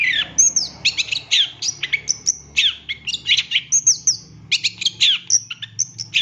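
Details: Long-tailed shrike song meant as a master recording for captive birds: continuous lively sequence of high whistles, downslurred squeaks and crisp chirps, several per second, over a faint low hum.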